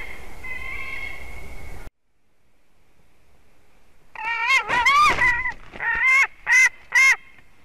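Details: White-tailed eagle eaglet in the nest at Durbe on 13 August, its fourth day, live nest camera: faint background noise with a steady tone, a sudden break into near silence, then a burst of wavering harmonic whines and several short sharp calls.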